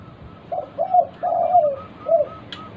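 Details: Local zebra dove in vigorous song, played to prompt other doves to sing: four low, soft, rounded coos, the third long and sliding downward, over faint, evenly spaced higher pips.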